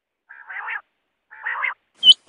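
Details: Quail calling: two harsh, buzzy bursts about a second apart, followed by two short, sharp, high-pitched clicks at the end.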